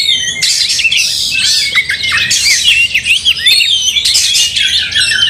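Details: Angry fighting Oriental magpie-robins; noisy rasping bursts break up a run of quick rising and falling whistled notes, all high-pitched.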